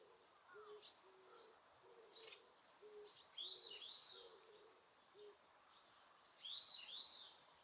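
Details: Birdsong in Osaka Castle Park, Japan, with noise reduction applied: a soft, low, repeated cooing phrase runs underneath while clear, high, wavering whistled notes ring out twice above it.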